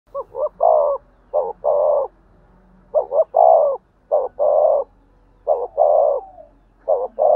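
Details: Spotted dove giving its urging 'thúc gù' coo, used to stir up and lure other doves: six low, hoarse multi-note phrases, each a short stutter followed by a longer rolling coo, repeated about every one to one and a half seconds.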